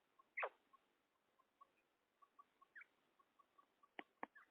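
Female common quail: soft, low clicking notes repeated about five per second, broken by a few sharp, loud sweeping squeaks and rising chirps.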